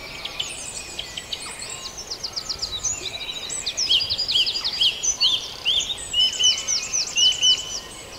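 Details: Dawn chorus of birds at Farndale: several songbirds overlap in high, bright phrases, with quick repeated down-slurred notes and rapid trills building in loudness toward the end, over a soft hiss of background noise.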